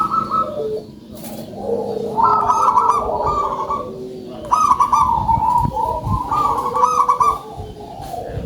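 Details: Local zebra dove singing actively with a loud voice, giving repeated bursts of rapid, rolling coos that trail downward, over a steady murmur of lower overlapping coos and background rumble.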